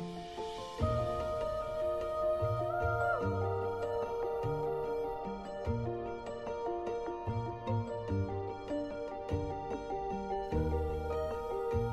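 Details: Gentle instrumental music with steady sustained tones and a soft bass line plays throughout, with no animal sounds.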